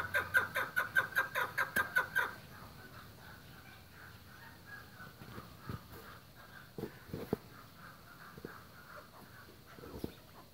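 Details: Chukar partridge at a breeding farm giving a loud rapid run of about eight harsh, evenly spaced chuck notes in the first two seconds, then quiet with occasional faint knocks and distant clucks.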